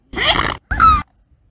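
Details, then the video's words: A swan gives two harsh, nasal honks, the first longer and rougher, the second shorter with a clearer falling tone, then silence. "Swan Sound"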